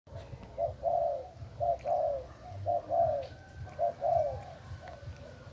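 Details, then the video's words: Spotted dove from Thailand, a bare-cage decoy bird, recorded 8 August 2018: low hoarse cooing phrases, each a few short notes ending in a longer slurred coo, repeated roughly once a second with a faint hum behind. "Cu gáy mồi trần thailand"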